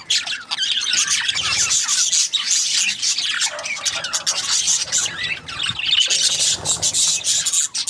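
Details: Budgerigars keep up a constant high-pitched babble of rasping chirps and short squeaky notes, dense and unbroken, with a faint low hum underneath.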